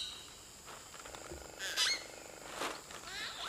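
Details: Common hill myna singing in Nagarahole National Park: a short, varied run of notes, a buzzy phrase, a sharp high whistle, then a rasping burst and a warbled twitter, over a soft outdoor hiss.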